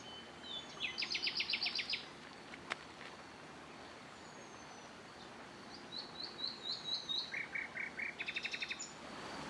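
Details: Eurasian penduline tit of the nominate subspecies, wild at Lake Kerkini National Park, Greece, in April: thin, high, drawn-out descending whistles repeated at intervals, with loud fast rattling trills of clustered notes at the start and end, over a steady outdoor hiss.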